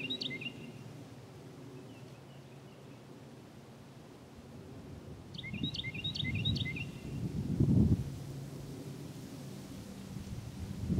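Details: Bird singing at the end of a hard winter at a former coal mine lake in Southern Illinois; short bursts of high, quick, downward-slurred chirping notes, one brief phrase then a longer repeated run, over low rumbling and rustling background noise.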